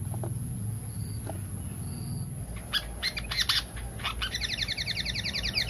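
Pied fantail giving sharp chirps, then a quick run of squeaky, repeated harmonic notes, over a steady low hum.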